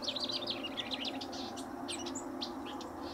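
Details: House Wren near a riparian area at Linscomb W.A. delivering a quick, tumbling run of high chattering notes, followed by scattered sharp clicks and chips against a low hum.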